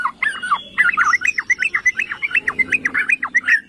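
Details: Yellow-vented bulbul song used to provoke other bulbuls into singing: a hurried, bubbling string of short warbled notes, about three per second, with faint hum beneath.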